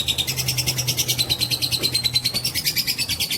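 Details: Long ngekek trill of a fighter lovebird, a provoking lure sound: fast, evenly pulsed high chatter with a faint whistled line slowly rising through it, steady low background hum.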